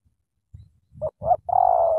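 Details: Loud Spotted dove from Cà Mau, thổ tơ style: two rising short coos, then a sustained buzzy, trembling coo lasting about half a second, with low rumbling underneath.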